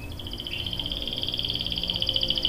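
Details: Female canary calling a male to sing. A quieter, continuous rapid trill of tiny repeated notes holds an even high pitch for over two seconds against a light background hiss.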